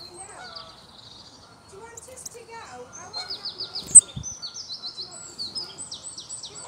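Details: European robin recorded on a mobile phone on 9 April 2022 in Longton Park, Stoke on Trent, United Kingdom, in spring. Quiet rustling opens, then thin, high, rapidly repeated sweeping notes in quick phrases, with one sharp knock midway.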